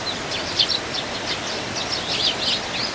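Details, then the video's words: Wild Eurasian tree sparrows, many together in winter, competing for food. Sharp short chirps and a few downslurred tweets come in loose clusters over a steady background hiss. "참새들의 겨울 나기 수십마리 먹이 경쟁"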